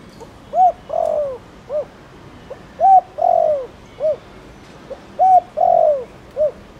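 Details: Spotted dove of the Thổ Đồng type, a rural village and farmland bird, calling to stir other doves into calling: a repeated phrase of a short soft note, a clipped coo, a long drawn falling coo and a final short coo, three phrases.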